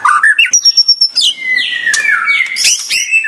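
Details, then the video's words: Short white-rumped shama phrase: quick chips, a high thin held whistle, then a lower sustained whistled note and rich warbling, loud and clear. "Kompilasi Kicau Burung Murai Batu HD Terbaru Vol.1"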